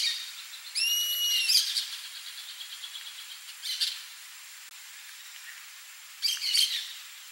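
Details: Wild rusty-margined flycatcher giving one long, drawn-out whistled note with a slight arch, immediately followed by fast buzzy chattering. After a pause, two more short bursts of harsh chatter follow, against a quiet background.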